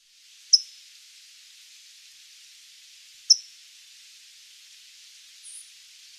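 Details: A California Towhee in a Sonoma County backyard gives sharp, high metallic chips, two strong notes about three seconds apart and a fainter third, like a smoke alarm's low-battery chirp, over a steady soft hiss.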